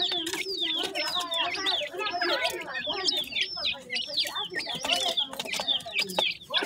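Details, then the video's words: Yellow partridge chicks being fed, giving rapid, high, downward-sweeping peeps in an overlapping crowd, with some lower chattering notes beneath. "yellow partridge bird chicks,partridge baby feeding"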